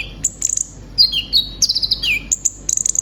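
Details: Short stretch of a caged konin, the brown-throated sunbird, in full song: a high trill, then descending whistled slurs and a run of quick high ticks.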